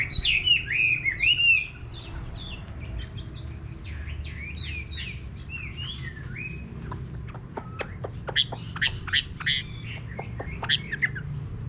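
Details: Hwamei in a countryside garden: a loud burst of twisting whistles opens, then softer warbled phrases and a spaced series of sharp, short notes follow over a low hum.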